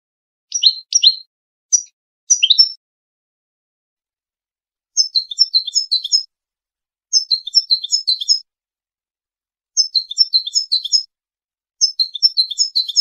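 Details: European goldfinch contest song in the Wedani style, meant for tutoring young birds: a few separate sharp chirps, then the same crisp tinkling phrase repeated four times, each about a second long and spaced roughly two seconds apart.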